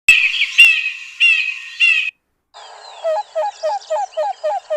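Acacia Pied Barbet giving four nasal, tinny, trumpet-like calls about half a second apart, followed after a pause by a busier passage of other birds with repeated lower notes.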